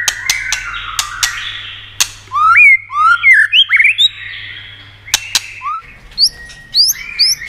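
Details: White-rumped shama song played to excite and stimulate other shamas: clear whistled notes, rising and falling slurs, sliding between low and high pitch, with sharp clicking ticks before and after and a steady low hum beneath.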